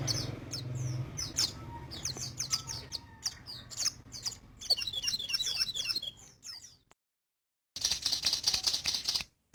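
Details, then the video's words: Crimson sunbird in full, lively song: rapid high chirps and twitters delivered in quick bursts, a brief silent gap, then a dense high buzzy passage of notes. "Burung sogon gacor full 2020"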